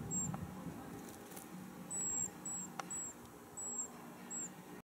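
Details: Dusky thrush on its wintering ground in Tokyo, 6 March 2022, giving a high "pee" during an apparent squabble with another thrush; six short, thin, very high notes, slightly falling, spaced roughly half a second apart, over faint background noise.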